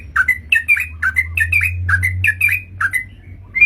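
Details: Trucukan, or sooty-headed bulbul, lure call used for trapping: paired chirps with a dipping then flat whistled shape, repeated roughly every third of a second, over a steady low hum.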